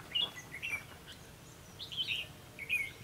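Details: Red-whiskered bulbul used in fight-trapping to lure rival birds. It gives clear, slurred whistled phrases, each a quick rising and falling warble, in three bursts about a second apart over a quiet background.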